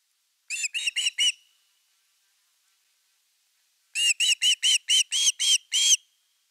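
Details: Nest-camera recording of an Osprey on 30 August 2021 at the evening fish: a short burst of four shrill, down-curving whistles, a long quiet gap, then a steadier run of about nine similar notes.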